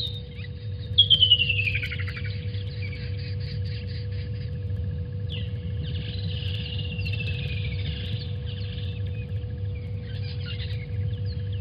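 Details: Water thick-knees at the Djuma waterhole, 28 November 2020, calling while chasing away vervet monkeys: loud, plaintive whistled notes tumbling down in pitch, in two bursts, over a steady low rumble of wind and hum.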